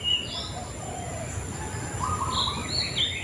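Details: White-rumped shama giving sparse, softer whistled phrases at the start and end, with a rising slurred note near the close, partly masked by steady hiss.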